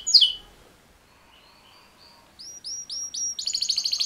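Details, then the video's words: Two male canaries in mating call song: one sharp chirp, a faint quiet pause, then a row of evenly spaced high whistled notes and a fast pulsing trill at the end. "Super Two Males Canary Mating Call Songs"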